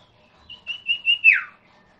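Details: Common iora, known locally as sirtu or cipoh, whistling three short level notes, then a louder drawn-out slur that drops steeply in pitch. Quiet background.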